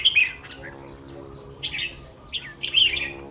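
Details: Caged red-whiskered bulbul before a contest, softly giving a few scattered warbled phrases separated by quiet stretches.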